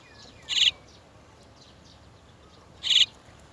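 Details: Chestnut-tailed starling parent, come to bring its chicks out of the nest, gives two short, harsh, scratchy calls about two and a half seconds apart, with faint thin chirps in the background.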